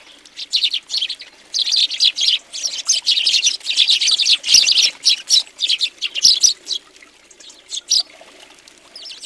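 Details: Many house sparrows crowd a feeder in Recke, Germany, in January 2020, keeping up an almost continuous stream of rapid, shrill chirping with brief pauses, some wing flutters.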